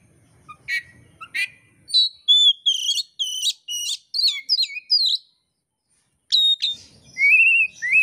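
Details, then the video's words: Indonesian songbird-keeper training recording of oriental magpie-robin song: a lively varied run of sharp chirps, slurred whistles and rapid trills, pausing briefly before resuming with rising whistled phrases. "kacer gacor materi komplit kicau mania Indonesia"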